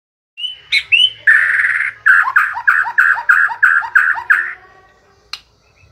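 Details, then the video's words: White-rumped shama singing, said to keep singing day and night: a few high whistled notes, then a run of about ten rich, repeated phrases, each a loud note with a dropping tail, closing with a sharp click. "Murai batu siang malam kicau terus"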